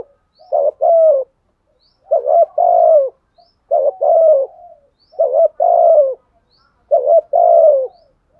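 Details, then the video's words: Spotted dove in the 'thổ sấm' voice style, cooing to goad wild doves into calling back: five mellow low coo phrases roughly every 1.7 seconds, each a short lead note then a longer, slightly falling coo. "tiếng chim cu gáy thúc gù bổi nghe phải gáy theo luân"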